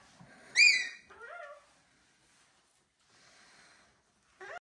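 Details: Pet cockatoo from a home keeping a Gang-gang, a Red-tailed black and a Major Mitchell's cockatoo: a sharp high nasal squawk, then two quick downward-sliding whistled notes, a pause with a faint murmur, and a final rising squawk.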